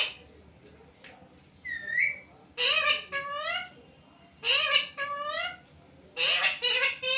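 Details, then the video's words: Parrot that speaks "mummy papa" chatters in repeated bursts of nasal, rising and falling voiced syllables with several short pauses, plus one brief whistled note near the start. "मम्मी पापा बोलने वाला तोता taking parrot"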